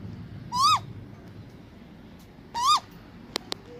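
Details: Great grey owl giving two harmonic, arched calls that rise then drop, about two seconds apart, over a low rumbling background, followed by two sharp clicks.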